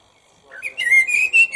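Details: Common blackbird song: a short rich fluted phrase, rising and wavering, with warbled notes that climb slightly toward the end. Quiet background.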